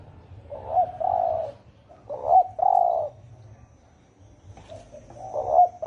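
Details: Spotted dove cooing deeply in 'thổ ồm' style for stirring wild doves; a few low short-long coos separated by a long quiet gap, fading back in at the end.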